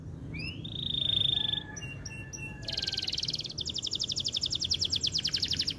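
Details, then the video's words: Canary in strong, long-running song used to stir breeding drive in female canaries: a drawn-out whistled note, scattered chirps, then rapid buzzy rattling trills repeated many times, over low background hum. "SUARA KENARI GACOR DURASI PANJANG BUAT PANCING BIRAHI KENARI BETINA"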